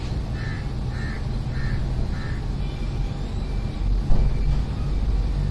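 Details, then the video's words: A cuckoo sings four clear, fairly high whistled notes, evenly spaced about every half second, over a steady low rumble of traffic. "cuckoo singing"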